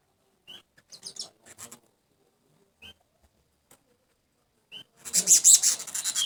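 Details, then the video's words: Loud golden weaver chattering: scattered short high chips and soft rasps with gaps between them, then a dense, harsh, high-pitched burst of scratchy chatter in the last second. "Burung manyar emas ngriwik keras"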